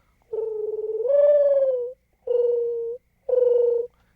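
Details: Mourning dove's low, hollow coo, often mistaken for an owl hoot: one long note that swells and lifts slightly, then two shorter, even coos about a second apart; nothing else is heard.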